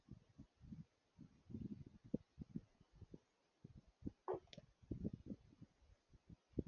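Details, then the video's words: A raven gives low, hollow knocking 'glock' notes in an irregular series, with one brief higher gulping note midway, while two vultures drink nearby; soft splashing may sit underneath. "Raven making glock sounds"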